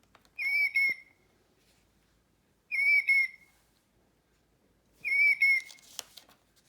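Killdeer giving three shrill, piercing whistled calls, each a quick two-part note, spaced about two seconds apart, with a faint rustle near the end.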